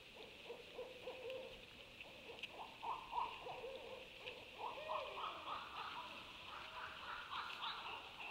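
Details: Owls calling together, dated 26 January 2020: overlapping runs of short hoots, some lower and some higher, rising and falling in irregular quick series, with a steady high background hiss throughout.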